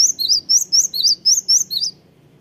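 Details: Cinereous tit singing vigorously: a fast run of about eight sharp, high chirped notes, each dipping from a bright top to a slightly lower tail, repeated rhythmically for two seconds over a faint low hum.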